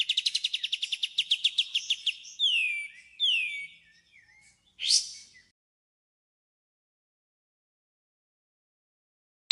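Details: White-rumped shama song, clear and easy to copy: a long, even, rapid trill of sharp notes, two falling whistled swoops, one loud upward burst, then several seconds of silence.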